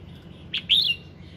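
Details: Red-whiskered bulbul singing in the morning, a recording meant to prompt other bulbuls to sing: one brief two-part whistled phrase, a short high note then a louder rising-falling warble, over a quiet hiss.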